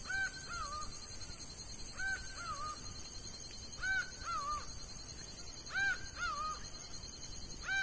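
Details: Laughing falcon song in the sertão of Bahia: paired calls, each a loud rising note followed by a lower drooping one, repeated about every two seconds in four evenly spaced pairs, over steady high background hiss.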